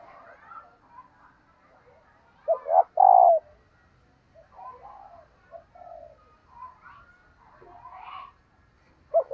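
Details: Coo of a female dove, given to stimulate males: two quick swelling notes, then a sustained falling coo around the third second. Another coo starts at the very end over steady background bird chatter.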